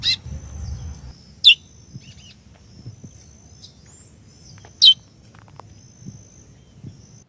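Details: Curió female giving short, bright high-pitched chirps to excite the male, two clear notes about three seconds apart with a faint one at the start, a thin steady high hum and quiet low background noise.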